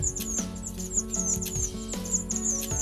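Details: Small Minivets in Indonesia, a species that flocks of tens to hundreds in tall trees, give thin, high squeaky notes, several a second in quick bursts, over steady background music.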